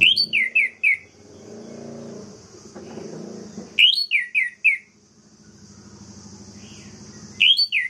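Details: Orange-headed thrush song played to make rival birds rage: bursts of four or five loud, clear whistled notes, each slurring downward, repeated after pauses of about three seconds, over a steady low droning hum.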